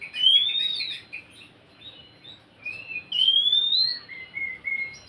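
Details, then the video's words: Oriental magpie-robin singing, played to stir a quiet bird into song; rising whistles and short warbles over a steady background hiss. "Siulan KACER untuk kacermu yang malas bunyi"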